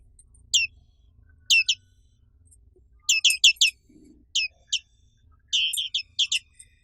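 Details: Indonesian endemic black-capped white-eye: sparse high downward-slurred notes building into quick clusters and a brief trilled flurry near the end, with a faint low sound in the background.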